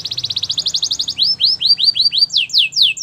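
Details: Belgian canary singing for training: a fast high rattle of clipped notes, then slower looping whistles repeated about three per second, ending with sharp falling notes.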